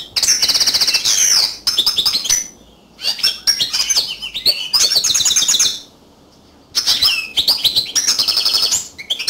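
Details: Continuous yellow canary song: bright, high trills and buzzy rattles alternating with thin whistled slides, delivered in three dense phrases broken by clear silent gaps.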